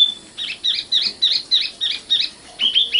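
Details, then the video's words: Common nightingale singing a run of identical bright notes, each rising then dropping, repeated about three times a second, ending in lower, fuller whistles. "kicau burung sikatan londo"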